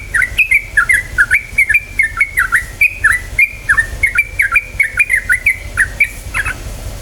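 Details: Lure song of a yellow-vented bulbul meant to make birds sing: loud, clear chirped notes dipping and rising, delivered in a steady, evenly spaced string of short phrases against a faint low rumble.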